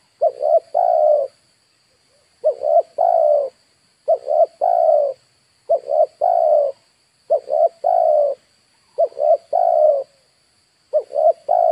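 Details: Spotted dove decoy cooing to bring in wild birds. It repeats its three-note phrase about seven times: a quick double coo and then a longer, slightly falling coo, roughly every one and a half seconds.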